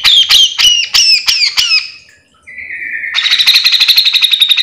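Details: Grey-cheeked bulbul in full gacor song for tutoring or luring other grey-cheeked bulbuls; six loud whistled down-slurred notes in a quick series, a lower flat tone, then a long fast buzzy chattering trill.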